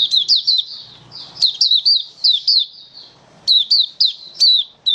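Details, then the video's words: Oriental white-eye from Malaysia in happy open singing: bright high-pitched twitter of quick falling notes, grouped in short bursts of three to five with softer sustained warbles between them, over a slight low background murmur. "Malaysian Mata Puteh Happy Buka Sing"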